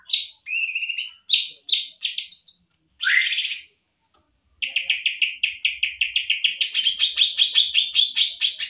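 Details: Greater green leafbird, a champion songster, in a full-fill tutor song: clear repeated whistles and short warbles, a buzzy descending note, a pause, then a long fast series of sharp, evenly repeated chips, about three per second.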